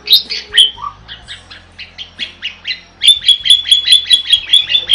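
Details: Starling singing in gacor style for training other birds: mixed whistles give way to a run of quick clicking notes, then a fast, regular series of bright metallic chips about three per second.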